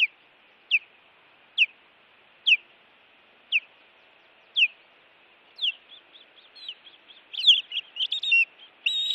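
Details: Osprey at a Montana nest camera, evening of 16 June 2017, intruder attacks under way: five evenly spaced, sharp down-slurred cries about a second apart, then building into a dense, agitated chatter of overlapping chirps.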